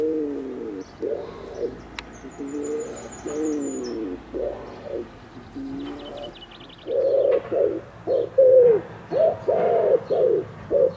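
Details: Male wood pigeon courting a female with soft, doubled, husky coos that sweep downward, followed by louder, clearer coos at a quicker pace. A thin whistle from another bird and light chirps are heard too.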